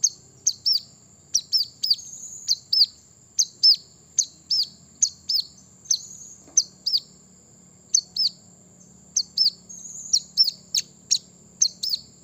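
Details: Brown-throated sunbird singing to provoke opponents into answering: rapid bright high chirps, often in doublets, tumble out almost continuously for twelve seconds with only brief gaps, above a faint low hum.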